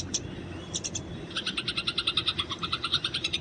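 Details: Wild Eurasian tree sparrow fighting calls kept for training: a few scattered chirps, then a steady rapid string of buzzy, even chirps running to the end over a low background hum.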